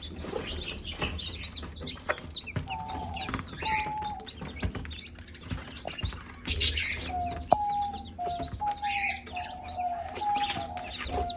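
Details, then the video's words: Mother hen calling chicks to eat with drawn-out, level, repeated calls, over high chick cheeps and pecking clicks. "Mother hen call her chicks to eat- chicken sound"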